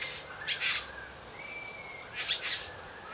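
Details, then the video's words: Courting male satin bowerbird performing for a female; two clusters of crackly buzzy notes bracket a thin, level whistle, with quiet rasping in between. "Satin Bowerbirds courtship"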